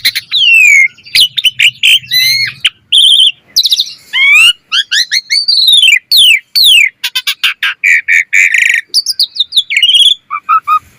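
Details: Asian pied starling delivering a 'gacor full isian' master song for tutoring other starlings, a dense varied stream of slurred whistles, ladder-like trills, harsh noisy notes and squeaky chatter.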